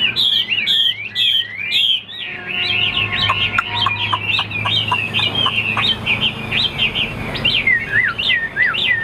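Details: Chinese hwamei in a cage, offered for sale as a fine singer with a large build that fans out during fights: four strong downslurred whistles, then a long, fast, twisting sequence of loud whistled notes without pause.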